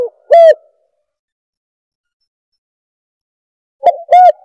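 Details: Spotted dove lure call: two short coo fragments, one at the start and one at the end, separated by about three seconds of silence.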